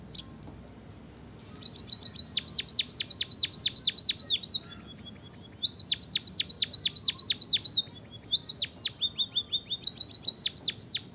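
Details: White-headed munia in full song, used as a lure to get reluctant munias singing: a brief thin opening, then long runs of sharp high notes sweeping steeply downward, about two per second, broken by short flat whistled trills.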